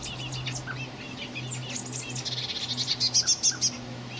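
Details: Common blackbird fledglings begging, recorded 26 May 2018: high, thin chirps that quicken into a rapid series of pulsed squeaks near the end, over a steady low hum.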